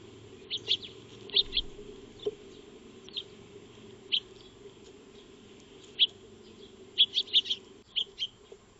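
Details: Eurasian tree sparrows (Maya birds) at a backyard feeding spot, 2 March 2025, recorded by a motion-activated solar trail camera: scattered single chirps every second or so, ending in a quicker cluster of tweets, with low steady hum behind.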